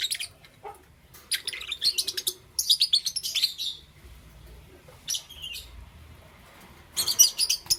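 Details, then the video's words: Caged lovebirds of green, yellow and lutino colour chirping in the morning: bursts of dense high scratchy chatter and sharp tweets in clusters, separated by quiet pauses. "Lovebird Chirping Sounds"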